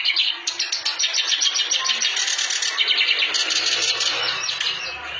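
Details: Vigorous clamorous reed warbler song, a harsh, dense chatter of rapid scratchy notes pulsing steadily for several seconds with a faint hum underneath.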